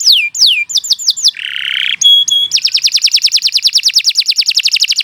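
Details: Canary singing a long, lively master song for training beginner songbirds, mixing descending whistled sweeps, a harsh buzzy note, short sharp chips, and then a long, very fast rolling trill.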